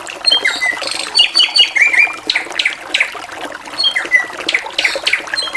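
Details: Energetic, varied drongo song: a burst of short rising notes leads into slurred whistles, then a string of separate sharp chirps about every half second, over steady trickling-water noise.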